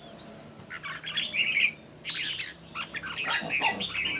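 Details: Red-whiskered bulbul in competition song in the morning, giving rich, slightly harsh warbled notes in two groups, with thin high whistled slurs above them.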